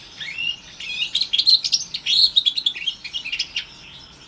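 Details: Young house finch mule crossed with a Timbrado canary, orange/brown, about four months old, singing a jumbled, twittering phrase of quick chirps and short whistles that builds then fades into faint notes.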